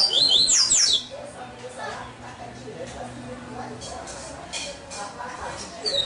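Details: Caged double-collared seedeater in Salvador, Bahia, Brazil, opening with about a second of loud, shrill, sweeping whistled notes in quick succession, followed by quieter murmuring background and a final short high note.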